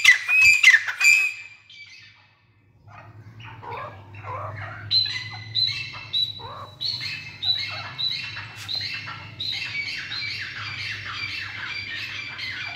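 Grey francolin: loud, harsh squawking notes open the clip, then a dense run of rapid chattering, squeaky calls over a low steady hum.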